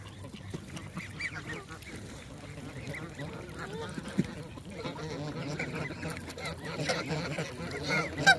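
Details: Morning visitors on 27 December: geese honk in a steady, overlapping chorus, with nasal calls rising near the end, as quacking mallards and whistling wigeon mix in with the flock.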